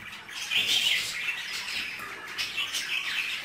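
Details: Budgerigars caged during mating: buzzy, squawky chatter with a louder harsh burst near the start, then a steadier scratchy warble.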